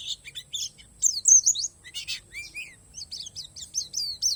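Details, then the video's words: Isian alam song of an Oriental white-eye, palas Borneo variety: jumbled high chirps and buzzy notes, two lower rising whistles, then a quick regular series of sharp descending tweets. "SUARA PLECI PALAS BORNEO"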